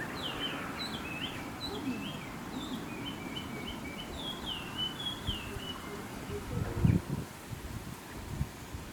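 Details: Chinese hwamei singing in the countryside, a bird said to wake the listener every morning with chattering, talk-like song: a quick run of varied whistled notes, short slurs rising and falling, over a low rumbling background.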